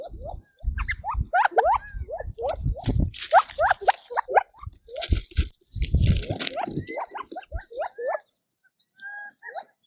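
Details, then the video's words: Quails feeding in their natural habitat give quick upslurred chirps in loose runs, mixed with rustling, crunching pecking sounds, with a brief pause near the end before a few more soft notes. "Quail Birdsong in Nature - Relaxing Chirping Sounds"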